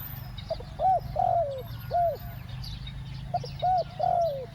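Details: Spotted dove used to lure wild doves, in the two-word 'ku-ang' coo style: mellow low coos in paired phrases, each a short note then a longer falling one. The phrase repeats twice over steady low background hum.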